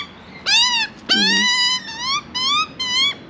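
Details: Young Australian magpie asking for food in Australia: a few drawn-out, harsh, nasal squawks, some rising at the end, with a short human utterance overlapping the second call.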